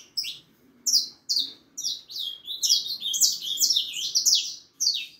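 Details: Harlequin saffron finch, a young bird four and a half months old, delivering a lively string of high, sharp downslurred chirps that run together in the middle and thin out toward the end.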